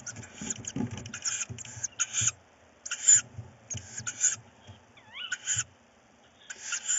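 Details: Tawny owl chicks in a nest at night, 4 May 2018 around 22:15, fighting over prey; harsh, broadband hissing screeches come in rapid bursts, about ten in seven seconds, over rustling and thumping of movement in the nest.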